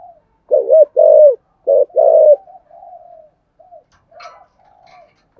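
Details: Spotted dove with thổ sấm voice cooing two ending notes; two strong double coos open, then softer trailing hums and quiet notes, a brief higher chirp midway, and a final coo starting at the end.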